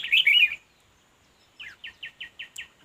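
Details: Red-whiskered bulbul during decoy fight-trapping: a loud jumbled warble, a pause, then six evenly spaced short down-slurred chirps.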